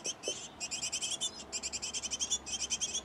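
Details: Great tit nest box where the pair feeds its nestlings: insistent, rapid high chirps, roughly eight per second, in three dense bursts, with a couple of faint lower notes at the start.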